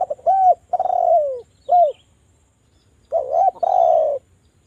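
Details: Loud, sharp spotted dove coo used as a lure for doves to call: arched mellow notes and a long descending slur, a short pause, then a wavering double coo, with no other sounds.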